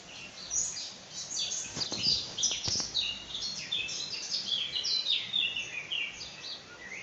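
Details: Several small birds sing together in early morning, a busy overlapping chorus of high twittering and chirping notes, with a few brief knocks or clicks in the background; birds.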